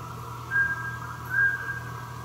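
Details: Mountain scops owl of the Taiwan endemic subspecies, recorded 3 September 2020 at Meinong, Taiwan, gives two pure, flat whistles a little under a second apart against a constant low droning hum.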